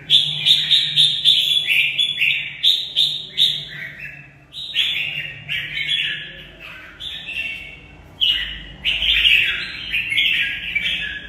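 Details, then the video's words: Red-whiskered bulbul in competition, singing a fighting song: lively bursts of bright, warbled whistled phrases, closely repeated with short pauses, loud and high, over a faint low steady hum. "Xem chào mào Mộc bộ vip đấu tốt mãn nhãn người xem"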